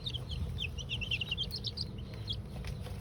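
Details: Baby chicks two weeks old, taking their first dust bath in a chicken coop; several birds peep in quick high chirps, some rising, over a steady low background hum.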